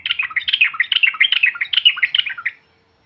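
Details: Yellow-vented bulbul calls used as a lure to provoke other bulbuls: a dense run of bubbly, chattering notes that jump quickly up and down, lasting about two and a half seconds before silence.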